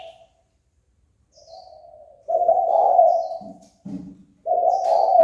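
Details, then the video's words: Spotted dove call meant to stir a rival into fighting. A soft faint coo swells into loud, rough coos, broken by lower, grunting notes. Thin high chirps from other birds sound faintly. "Cu gáy chơi cực hay kích bổi đấu ngay!"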